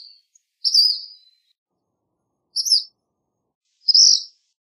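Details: Singing black phoebe: a drawn-out, slurred high note followed by two shorter sharp chirps, each separated by over a second of silence; clean recording with no other sounds.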